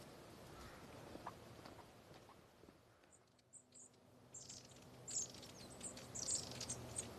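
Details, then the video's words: A feeding flock of long-tailed tits overhead gives thin, very high, scattered 'see-see' notes that grow busier in the second half, over a low outdoor rumble. "there are lots of long tail tits feeding above me can you hear them"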